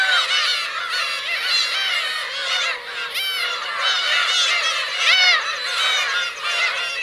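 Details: Black-tailed gull parents and chicks on the Kurosaki coast of Teuri Island, Hokkaido, 17 June 2021, in a dense, steady chorus of many overlapping nasal, cat-like mews and yelps, rising and falling, with no pause.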